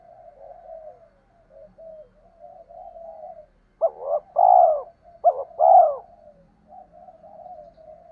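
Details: Low humming background coos break into two loud spotted dove phrases, each a quick double coo followed by a long throaty note, then quiet murmuring again; calls used to excite males for decoy training.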